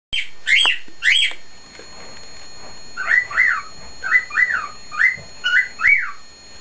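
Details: Pet male cockatiel sitting in his cage, whistling at the top of his lungs: loud looping whistled notes, first two long sweeps, then a quick run of paired rising-falling phrases repeated about every half second.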